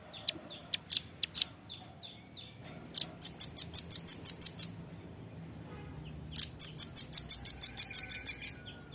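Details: Two rattling series of thin, high-pitched chips from a Velvet-fronted nuthatch, each about ten notes long, with loose single chips before them and quiet twittering between. Recorded for training captive birds.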